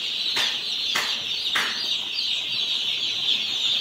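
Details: One-day-old chicks on a poultry farm give a steady, shrill chorus of overlapping peeps. Three sharp clicking knocks come early, about half a second apart.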